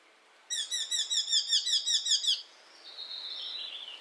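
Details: Icterine warbler, native to Europe, used for tutoring songbirds: a fast run of about a dozen repeated high, ringing trill notes lasting two seconds, followed by a thin sustained whistle.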